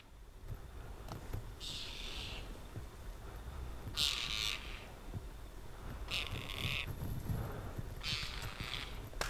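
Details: Tibetan partridge in a mid-winter freeze in Ladakh, Himalaya: four harsh, rasping bursts, each about half a second long, come every two seconds or so over a low steady rumble of wind.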